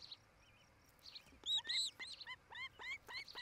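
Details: Osprey couple nesting by Charlo, Montana, caught on a nest camera one July 2018 afternoon; loud arched whistled chirps, some sliding up then down, given in quick uneven succession over a soft background hiss.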